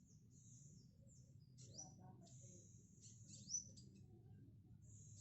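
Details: Tame spotted black sunbird in song practice: a near-continuous high, thin sizzling trill broken by brief dips and a couple of quick rising whistled flicks, low droning noise beneath.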